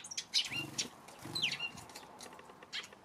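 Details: April 25 afternoon: a few Eurasian tree sparrow chirps, some with quick downward slurs, partly masked by low rumbling background noise and fainter distant chirping.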